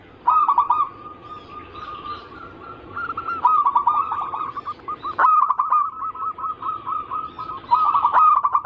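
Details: Long zebra dove anggungan sequence: loud bursts of chopped, trilling coos linked by steady humming tones, repeated several times with a sharp click-like accent in the middle.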